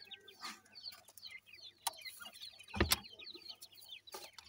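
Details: Playing grey francolin chicks fill the air with many quick, high, downslurred cheeps in a dense overlapping chorus, broken by several sharp clacks and thumps.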